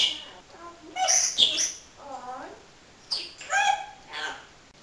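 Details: Pet parrot talking: high squeaky chirps and shrill syllables mixed with a low, voice-like wavering phrase, like mimicked human speech.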